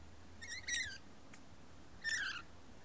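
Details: A lorikeet in a dominance display gives two harsh, shrill, rasping screeches about a second and a half apart, the second slightly falling; otherwise only faint background hum.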